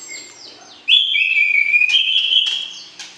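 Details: Breeding-pair white-rumped shama calling to arouse the opposite sex: after soft notes, a loud sustained whistle starts abruptly and holds near one pitch with small steps, ending with a sharp chip.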